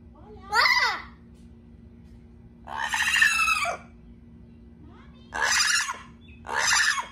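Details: Amazon parrot kept as a pet, excited for its owner's return: loud grating screeches, four long broad outbursts a second or more apart, each rough and noisy, with a faint constant hum in the room.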